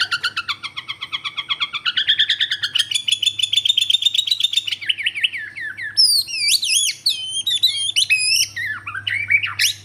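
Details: Bornean white-rumped shama song opening with rapid repeated notes rising in pitch, then varied sharp whistled phrases and slurred high notes, over a faint constant low hum.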